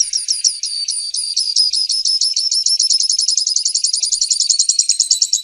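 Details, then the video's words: Grassland yellow finch (Sicalis luteola) singing a long, unbroken run of high, thin chirped notes that gradually speed up into a fast, buzzy chatter, with clean quiet background. "Misto Canto - Misto Llamado - Sonido! Cantando! - Grassland Yellow Finch Bird Song - Sicalis Luteola"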